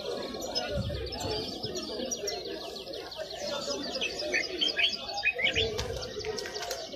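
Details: Wild European goldfinch singing at the Qurai'a bird market: a fast, liquid twittering of tinkling high notes and short trills lasting several seconds, set against steady market chatter and nearby voices.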